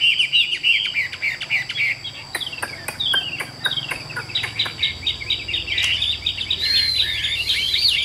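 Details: Chinese hwamei, a caged bird described as 80% tame, pouring out fast warbled phrases with a rapid series of sharp clicking strokes, ending in loud, looping whistled notes; quiet hum behind.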